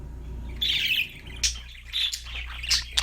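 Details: Budgie singing: a drawn-out buzzy warble followed by a few sharp chirps and clicks, over a faint constant low hum.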